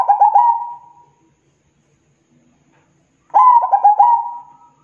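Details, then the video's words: Zebra dove in full song, two phrases each opening with rapid, bubbling coo notes and trailing off into one long, even, fading tone; quiet gap between phrases. "SUARA PERKUTUT GACOR PANJANG"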